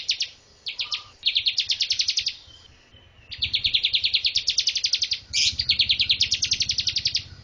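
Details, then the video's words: Master song of a Bar-winged prinia for training birds: several rapid trilled bursts of high chirps, each lasting one to two seconds, with short gaps and a faint low rumble behind. "MASTER BIRD CHIRPING BAR-WINGED PRINIA SINGING"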